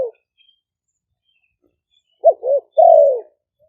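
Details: A single cooing phrase of a decoy spotted dove from Roi Et, Thailand, used to lure birds: after a pause, two short clipped notes and one long, loud coo falling gently in pitch.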